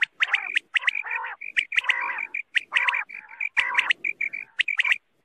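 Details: Quail gives harsh, squawky chattering notes with sharp clicks, in quick uneven bursts about once a second, with no other sounds; a night-time quail sound used to lure quail for hunting.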